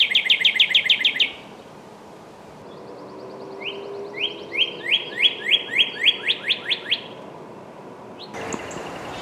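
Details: Northern cardinal opens with a rapid rattle of about ten whistled notes. After a pause comes a long series of rising slurred whistles that swell and then fade. A sharp thud and rustle follow near the end.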